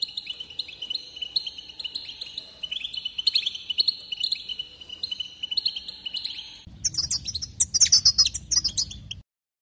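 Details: European goldfinch song used to excite other goldfinches: a long, steady rolling trill, then a sudden switch to a noisy, rapid burst of high chirps before it cuts off.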